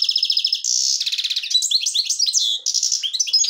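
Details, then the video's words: Black-headed goldfinch in the Devonshire-style song: a continuous bright stream of buzzy trills and quick twittering notes, steady and loud with one short break. "Щегол масти девонаш"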